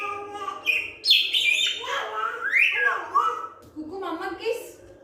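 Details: Pet African grey parrot producing a run of talking and whistled mimicry, with rising and falling squeaky slides and chattering syllables packed close together, in a small indoor space.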